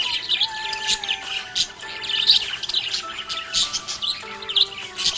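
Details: Happy pet budgie producing a stream of sharp high chirps, twitters and occasional squawky notes in lively bursts, accompanied by continuous musical tones in the background.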